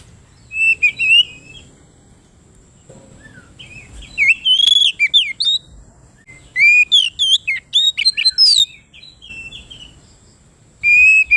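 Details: Kacer (Oriental magpie-robin) in full 'ngeplong gacor' song, said to provoke rivals: several bursts of varied rapid whistles and chattering slides over about eleven seconds, with quiet gaps and a faint steady high tone behind.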